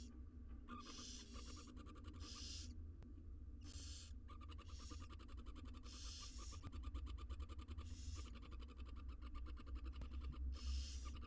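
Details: Six wild barn owl nestlings being fed inside a research-monitored nest box. Hoarse, breathy hissing bursts repeat roughly every one to one and a half seconds, with quieter rasping between them over a steady low rumble.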